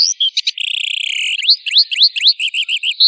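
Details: Master recording of a long tail for training: a buzzy sustained trill opens, followed by sharp rising whistled notes and a quick series of short chevron chirps, ending on a whistle, clean with no background.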